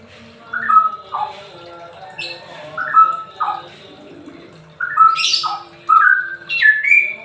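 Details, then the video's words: Straw-headed bulbul singing in the semi ropel style, used to lure and coax reluctant birds into singing; loud, rich, liquid whistled phrases dropping and rising in pitch, given in short bursts separated by pauses, with a faint low hum beneath. "Cucak rawa semi ropel"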